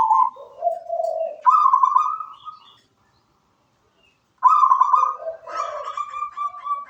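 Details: Zebra dove of local stock in full song: trilled coos that step down to lower rolling notes, then rise to a higher sustained trill, with a pause before the next phrase.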